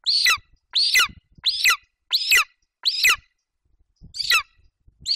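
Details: Young golden eagle in a Bucovina nest, 27 July 2021, vocalizing while standing over a Eurasian hare his mother brought, until she left: high, harsh, squealing calls about half a second long, roughly every second, with faint rustling between.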